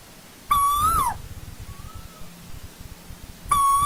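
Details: Old-growth forest Asian koel giving a strong whistled note that holds, lifts and then falls away, a faint distant reply after it, and the next call starting at the end; low hum beneath.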